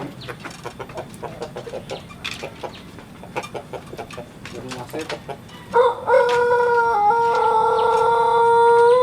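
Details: Pelung chicken kept by breeders in Sukabumi, West Java, sunning in the open: a run of short clucks and background chatter, then a sustained, strongly toned crow begins and holds steady to the end.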